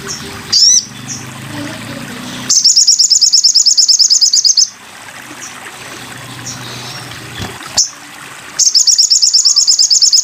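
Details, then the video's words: Sogon bird heard on a masteran tutoring recording: several long runs of rapid, high, buzzy repeated notes, about three per second, separated by single sharp chirps and quiet gaps. "masteran burung sogon"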